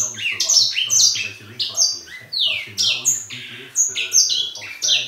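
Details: Indoor grey singing finch, a bird that keeps singing throughout the day, delivering a continuous stream of bright, twittering notes with swooping slides and quick trills and barely a pause, over a soft low background hum.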